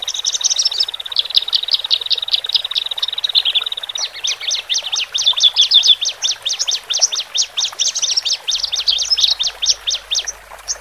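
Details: Male and female Horsfield's bush larks singing in cages, used to help newly separated birds adapt. A long sustained buzzy trill gives way to a rapid, regular string of sharp chirps, about four each second.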